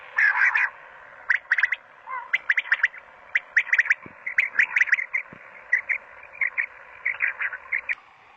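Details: ,Pakistani quail song recorded on a mobile phone: sharp, high chirps in quick clusters of two to four, repeated almost without pause for eight seconds over a steady background hum.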